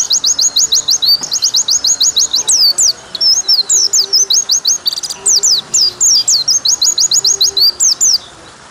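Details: White-eye long 'nembak' song, used as tutoring material so caged pleci sing more, with water sound added: nearly continuous high whistled phrases mixing rapid even trills with looping, twisting notes, only brief pauses between runs.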